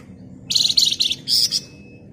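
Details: Flamboyan bird singing actively in a dense, rapid ngebren style: two short bursts of high, buzzy, rattling chatter with a tight pulsed texture and a brief pause between them.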